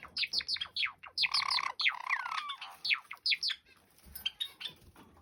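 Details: Pair of caged male Java sparrows dancing and singing together; bright ringing chirps in quick clusters, a sustained low hum with a long drawn-out downward whistle, then scattered clicks and tinkling notes.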